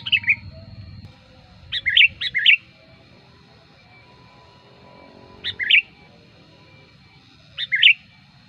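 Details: Sooty-headed bulbul lure song for attracting wild birds: short clusters of two or three bubbly whistled notes separated by long pauses of several seconds, with a low background hum.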